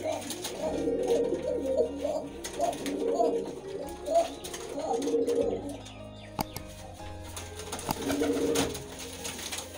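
A Kaldom pigeon coos in low, throaty, rolling bursts, about four phrases with short pauses, over a steady indoor hum and a few clicks.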